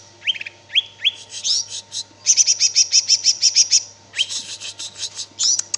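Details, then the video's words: Greater green leafbird, called cicak ijo, in energetic gacor song: a few rising whistles lead into a rapid even string of about ten high chips, then more upslurred notes. "suara burung cicak ijo"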